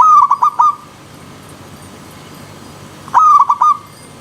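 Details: Zebra dove, described as wild alongside a river stream, repeating a short phrase twice about three seconds apart: a bright held note broken into four quick stuttered pulses, with quiet pauses between. No water sound is evident.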